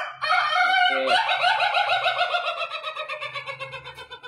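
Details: White rooster crowing very long: a short rising opening note breaks into a sustained, harmonically rich crow with a fast pulsing tremolo that fades gradually over several seconds, followed by human laughter.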